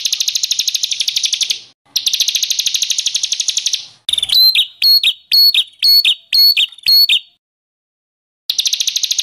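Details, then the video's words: White-rumped shama singing agitatedly in an edited training recording: two long rapid buzzy trills, then stuttering bursts of rising notes, silence, and the trill starting again. "MASTERAN MURAI BATU GACOR ! LANGSUNG NYEMPLONG & EMOSI !!!"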